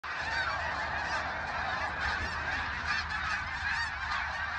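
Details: Snow geese, which the recording notes travel in migrating flocks of up to 100,000, calling as a dense chorus: countless overlapping nasal, yelping honks blend into a continuous wall of sound with no pause.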